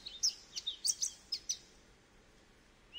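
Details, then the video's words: Goldfinch singing a brief burst of high, tinkling notes in the first half, then a pause and a rising note at the end. "Goldfinch Bird Sounds"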